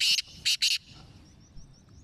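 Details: Sindhi black francolin from Sindh or Punjab: three loud, harsh, grating broadband notes within under a second, the last two close together, followed by quiet background.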